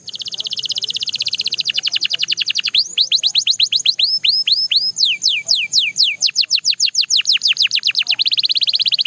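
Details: Belgian canary singing a varied, high-pitched song: a bright sustained trill opens, then rapid repeated notes and a long run of quick downward-sweeping whistles, ending in another fast even trill.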